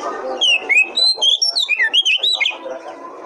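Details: Kacer, the Oriental magpie-robin, in a lure song to get other birds singing: a two-second run of clear, fluty whistles rising and falling in quick succession, with faint background chatter before and after.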